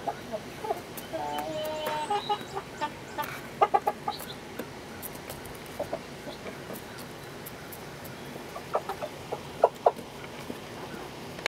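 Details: Chicken flock from 07-06-2016 with a steady murmur of clucks and a few sustained harmonic calls in the first seconds, then quieter sporadic clucking punctuated by sharp clicking knocks.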